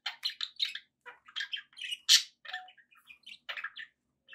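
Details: Pet budgies give a quick string of separate chirps, squeaks and short whistles, each note brief and varied in pitch, with one louder harsh squawk in the middle.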